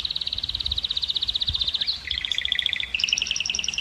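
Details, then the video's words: Singing canary, its song aimed at exciting hens to breed. A fast, steady trill of repeated notes drops in pitch to a second rolling tour, then shifts to a bouncy two-tone trill. "كناري مجنون - الكناري المجنون سبحان الله أفضل صوت لتهييج إناث الكناري وحثهم على الزواج"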